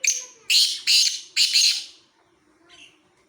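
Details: Black francolin at Khushab: a short harsh opening note, then three loud, rasping, broadband bursts within under two seconds, fading into faint whistled notes of another bird.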